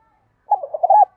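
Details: Spotted dove with the 'giọng đồng' voice style, a thúc gù calling coo used to train decoy and wild doves: a short run of low, mellow coo notes, the last one drawn out, then a clipped final note.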